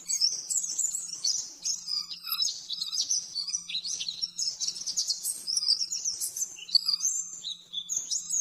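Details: Caged-bird training song of the oriental white-eye, fast and clear: high, varied chirps and sweeping twitters in rapid bursts, some notes dipping lower, over a faint constant hum.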